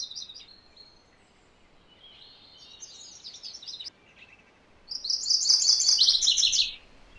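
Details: Song of MacGillivray's warbler (Geothlypis tolmiei): a short fragment at first, softer distant notes mid-way, then a strong nearly two-second song of rapid high paired notes sliding into a lower, buzzier ending.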